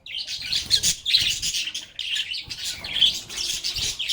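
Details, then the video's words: Busy lovebird chatter while the birds play: sharp high chirps and raspy notes in tight bursts, with a short lull at mid-point before the chatter resumes. "Lovebirds agapornis sounds | Relaxing Sounds of Singing, Playing, and Talking Parakeets"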